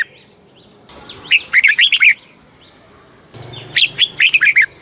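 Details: Red-whiskered bulbul song played to excite and teach caged bulbuls, southern master-style phrasing; two bursts of rapid, bright warbled notes rising and falling, with faint thin whistles from other birds between them.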